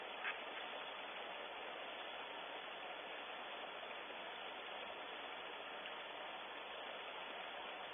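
Constant low-level hiss cut off sharply at the top, with no animal calls, from a barn owl camera at Audubon Starr Ranch.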